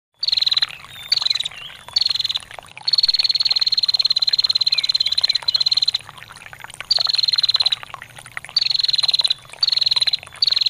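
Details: Female bar-winged prinia giving the long ngetir call, recorded for training songbirds: rapid, high ticking trills in bursts of one to three seconds, separated by short pauses, over a steady background of trickling water.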